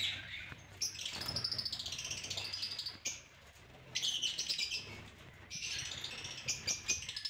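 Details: Albino red-eyed lovebirds from Gujrat give dense, high-pitched chirping chatter in overlapping bursts, with brief quieter pauses between the flurries of sharp, twittering notes.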